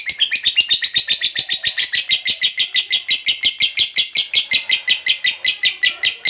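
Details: Sustained ngekek of a fighter lovebird, used to stimulate other lovebirds to sing: an unbroken run of high, scratchy notes at a brisk, even pace, about three per second.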